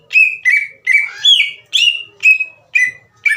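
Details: Lure song from a green leafbird to heat up slow rival birds, a series of strong, harmonically rich notes sliding down then holding, spaced about every half second.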